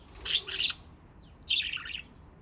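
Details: Budgies enjoying water play indoors: a quick doubled, harsh chirp followed after a short gap by a longer warbling, slightly falling chirp.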